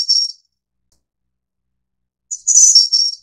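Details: Taiwan endemic subspecies innexa of Snowy-browed Flycatcher. The tail of one phrase, a long pause, then one full high, jingling whistled phrase that starts with a short note and ends in thinner trills. No other sounds.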